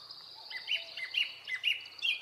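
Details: Japanese thrush in early-summer Hokkaido forest, Japan, delivering a quick sequence of sharp whistled notes, about five loud phrases in two seconds, over a hiss of faint high background sound.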